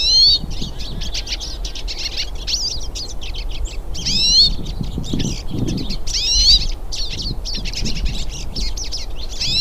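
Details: Hooded siskins, several birds, singing in the wild. Continuous high, fast twitter of chips mixed with bright rising and falling whistled phrases, with a soft low rumble beneath.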